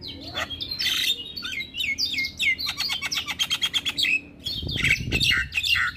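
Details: Male Javan myna, singing actively and nodding, gives a busy run of harsh chatters, whistles and fast rattling notes, with a clipped rapid series in the middle; low rumbling noise near the end.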